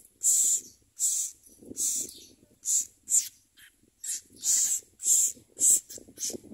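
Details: Common myna chicks beg with harsh, hissing rasps as adults bring worms and locusts to feed them, about nine bursts in under seven seconds; fainter rustling fills the gaps.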